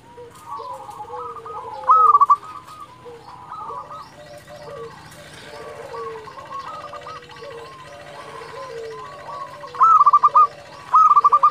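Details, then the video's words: Zebra dove of local stock singing to draw answers from rivals: a loud trilled coo burst early, then two more near the end, amid continuous busy cooing from many other doves and a low background hum. "Perkutut lokal gacor Suara ini sangat cepat bikin lawan nyaut"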